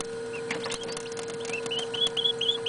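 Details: Newly hatched northern bobwhite chicks indoors at night, part of a brood of 27. Brief scuffling followed by a quick run of high, clear rising peeps, roughly four a second, over a steady hum.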